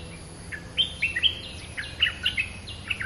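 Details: Streak-eared bulbul in a territorial contest: a lively run of short, slurred, whistled chirps, irregularly spaced, over a faint low hum.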